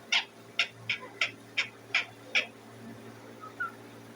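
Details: Pet Indian ringneck parakeet giving seven sharp chirps spaced about every third of a second, then two soft short whistles.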